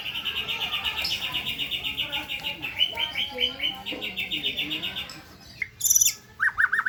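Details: White-rumped shama delivering a long series of rapid repeated chirping notes, followed by a brief pause, a sharp high burst and short slurred whistles.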